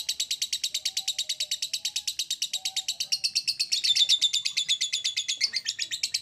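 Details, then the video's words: Lovebird giving a long ngekek trill used to stimulate other lovebirds: a rapid, high-pitched chattering of pulses, about three per second, running continuously with little change and rising slightly in loudness near the middle; faint low whistles underneath. "PANCINGAN SUARA LOVEBIRD NGEKEK"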